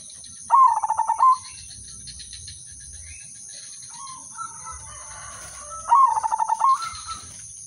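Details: Udanmas silver zebra dove song for prompting other doves: two fast staccato coo phrases about five seconds apart, each under a second, with quiet between and a steady thin high whine.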